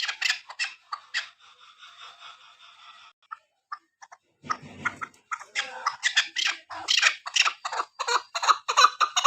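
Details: Female chukar partridge calling, a sound used for hunting: series of short, harsh chuck notes, sparse at first, then a quick, uneven run of louder notes near three per second, with a brief low rumble midway.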